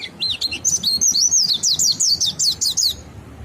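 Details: Mountain white-eye ngalas song that sets other white-eyes singing; a loud, fast, high warbled phrase of wavy zigzag notes, run together for about three seconds before stopping.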